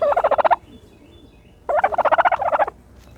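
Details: A turkey bathing in dirt gives two bursts of fast, evenly pulsed gobbling notes, the second longer, with quiet between.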